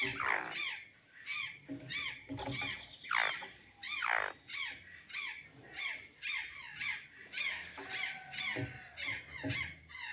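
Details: Azure jay in Santa Catarina eating banana and sweet potatoes, giving a long series of rasping, falling squawks, some louder and drawn out, delivered in uneven bursts about once a second.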